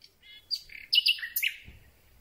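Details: A Common Nightingale sings at night, recorded from very close: a quick, varied burst of a thin buzzy note, then loud whistled and churring phrases, ending with a soft low thump, possibly the microphone rubbing on thin branches.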